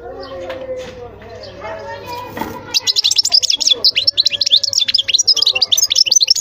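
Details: European goldfinch singing: after a stretch of low tonal background sound, a fast run of high twittering chirps and trills begins near the three-second mark and carries on steadily to the end.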